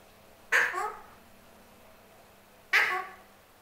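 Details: Male pet Alexandrine parrot demanding his apple with two strident squawks a little over two seconds apart. Each is loud and scratchy at first, then settles into a short, fading nasal tail.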